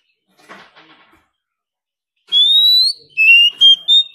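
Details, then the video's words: Competition song of an Oriental magpie-robin, meant to push freshly caught wild birds to sing hard: after faint rustling, a bright rising whistle is followed by three short clear notes stepping up and down in pitch. "Choè than hót đấu déo bổi.kích bổi hót căng.đấu cả ngày.nghe là hót"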